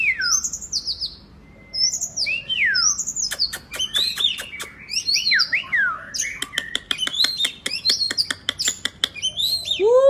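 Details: Oriental magpie-robin in lively full song, played as therapy to get quiet birds singing; varied whistled phrases, sweeping slurs and sharp rapid clicks in bursts, with pauses between phrases.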